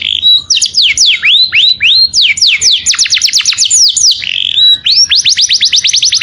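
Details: Saffron finch calling its companion: clear, ringing series of fast downslurred whistles and rising upsweeps, delivered in quick bursts with brief pauses between phrases.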